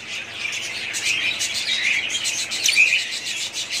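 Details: Budgerigars kept together as a family, giving a steady twittering mix of high, rapid chirps and buzzy warbled notes, with one brief clear whistle rising above the flock near the end.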